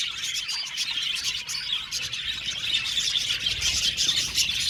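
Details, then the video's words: Budgerigars chattering in an aviary colony, fast irregular chirps around three per second blending into a high, scratchy, continuous warble from many birds. "Budgie Sounds for Lonely Budgies | Natural Relaxing Chirping Sounds"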